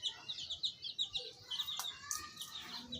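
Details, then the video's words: Baby chicks chirping, fast high peeps in a tight cluster, some brief clicks and a faint lower note in the background. "Baby chicks chirping sounds"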